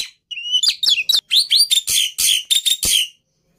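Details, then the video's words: Black-winged myna delivering clear upslurred whistles, a few rising notes followed by a string of hoarse, broadband rasps, then silence. "Suara Burung Jalak Putih Istimewa"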